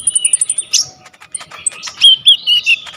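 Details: A lively coconut lorikeet with a full repertoire, recorded as a training tutor for kolibri ninja birds: a fast series of thin, very high repeated pips, then mixed chirps and a few louder whistled slurs.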